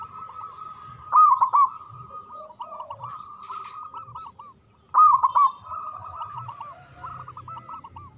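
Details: Zebra dove of local stock singing manggung and ngayer song, kept to set silent doves singing. Rapid, looping coos with two loud rolling phrases about four seconds apart and brief low coos in between.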